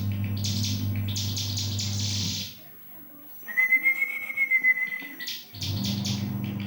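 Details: Bar-winged prinia, a young bird starting to sing, used for training magpie robins, kacer and green leafbirds; fast buzzy high-pitched trills in two bursts separated by a long even whistle, over a steady low drone.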